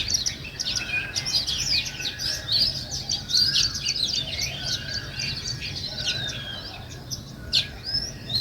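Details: A flock of sparrows, named as weaver birds, chatters naturally: a steady stream of thin, high, twittering chirps overlapping, with a low hum underneath.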